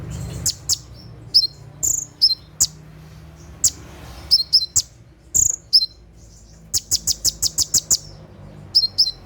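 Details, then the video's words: Olive-backed sunbird, locally konin, in 'tembakan' night song used to train captive birds: dense, rapid, very high chirps and slurred whistles, including a fast even run of about eight clicks near the end. "SUARA TEMBAKAN KONIN SAAT DIMALAM HARI"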